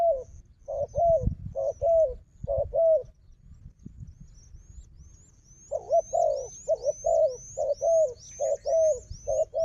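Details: Wild fighting dove answering a decoy: bursts of quick paired low coos, a pause with soft thumps, then another coo series while a small bird repeats high rising chirps in the background.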